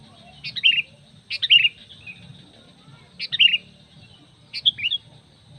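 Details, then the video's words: Four chirpy, tumbling phrases from a sooty-headed bulbul, each starting high and stepping down, spaced one to two seconds apart; used as a lure call for other bulbuls, with a faint steady whine and low hum. "SUARA PANGGILAN PIKAT KUTILANG MENGGARUDA"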